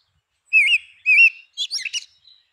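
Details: Song phrase of a Grey-winged blackbird: two rich, wavering whistles followed by a rapid jumble of higher, squeaky twittering notes and a faint thin tail note.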